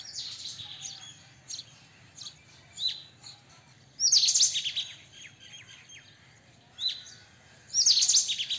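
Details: White-throated kingfisher: two loud, rasping high bursts about four seconds apart. Between them are thin, downslurred high notes and light chirping.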